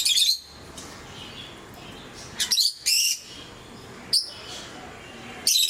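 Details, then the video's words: Lovebirds kept as pets, various mutations, giving high piercing squeaky chirps and short harsh screeches in irregular bursts separated by pauses of one to two seconds. "Sounds of love birds"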